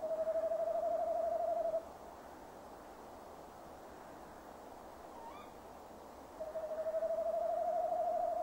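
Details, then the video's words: A male tawny owl calls near a nest box at 17:10 on 15 December 2015, waiting for the female: two long, wavering, tremulous hoots, each nearly two seconds, separated by a quiet gap over steady hiss. "Bosuil M roept"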